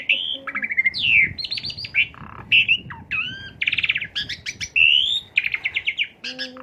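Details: Asian pied starling song played as a lure to stimulate another bird: rapid stuttering trills, descending whistles and long buzzy notes alternating in a busy, loud sequence.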